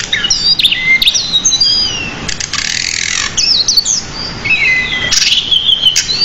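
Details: Pied bushchat in continuous training song full of borrowed notes. Warbled whistles alternate with noisy rasping bursts and downward-sliding whistled notes.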